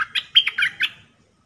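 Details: Red-whiskered bulbul, a caged decoy bird used for trapping, giving its 'dok taeng' style song, recorded 1 September 2021: quick bright whistled phrase of slurred, falling notes, four or five bursts within one second, in a quiet room.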